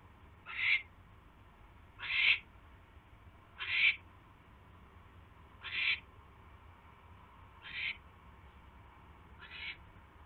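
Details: Owl at the nest on the evening of 29 January 2016 as mice are delivered; six rough, hissing screech notes roughly every one and a half to two seconds, fading slightly, low hum behind.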